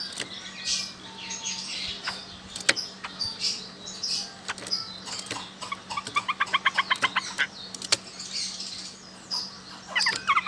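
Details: Chinese hwamei from Sokaraja, Banyumas, Central Java, a loud-voiced bird: scattered sharp clicks and chips, then a fast series of repeated ringing notes near the middle, with further bursts of varied notes over a faint constant hum.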